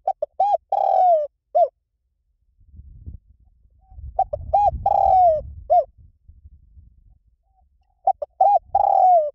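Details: Spotted dove cooing in the liu tan style, played as a lure so trained doves answer back. Three repeated phrases of quick short notes leading into a long falling coo, separated by pauses; soft low rumbling between phrases.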